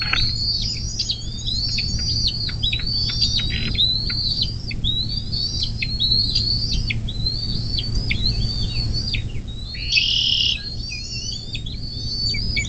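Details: Bald eagle at a nest along the Little Miami National Wild & Scenic River, southwest Ohio, nest cam, 24 May 2024, mid-morning; a long series of sharp, high piping notes, repeated rapidly, with a brief harsh burst near the end and low background hum.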